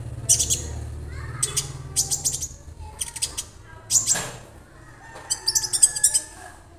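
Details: Young caged Orange-bellied leafbird, a newly acquired bird already singing and kept alone to learn tutor songs; short, sharp, very high chirp bursts come in clusters about every half second to second over a low steady hum.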